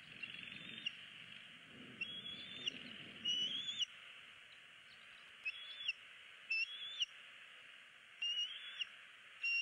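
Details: Bald eagle chick on a Southwest Florida nest cam in February 2016, snapping at its parent's beak and pleading for food without being fed. Piping high whistles repeat every second or two above steady hiss, with a low rumble early on.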